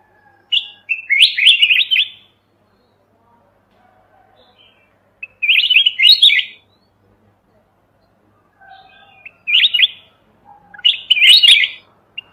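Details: A red-whiskered bulbul of mountain stock sings in a clean trapping-lure recording, with four rich, rollicking warbled bursts spaced a few seconds apart.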